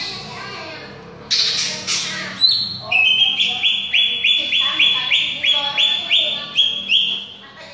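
Greater green leafbird giving a quick series of bright, high, upslurred whistles, about three a second, after a few harsh, scratchy notes.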